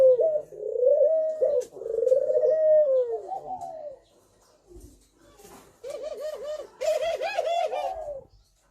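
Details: Spotted dove song in the thổ pháp style, used to provoke males and females: long gliding coos, a quiet gap, then quick rippling wavering coo phrases.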